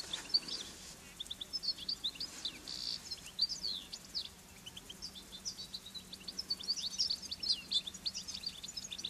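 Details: Wild European goldfinch singing on fennel in the Garraf Massif, Catalonia, recorded from a camouflaged hide near its feeding spot: continuous rapid liquid twitters and short trilled notes, with a constant low background hum.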